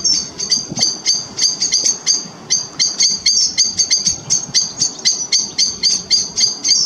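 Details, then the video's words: Grey wagtails, a family group at the River Chelt, make rapid, piercing high chips, nearly four a second and unevenly spaced, with soft water noise in the background. "GREY WAGTAIL FAMILY PLUS"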